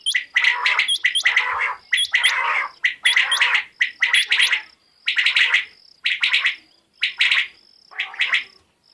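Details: Quail, possibly a female, giving harsh, raspy, gargling bursts of half a second to a second, about once a second, topped by thin hooked whistles; a call used as a hunting lure in Pakistan.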